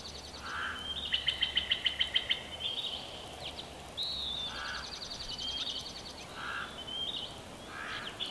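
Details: Female bald eagle at a Big Bear Valley nest, 12 June 2021, chortling: rapid staccato series of high, thin piping notes, two bursts of about a dozen notes each, mixed with short lower hoarse calls and faint background hiss.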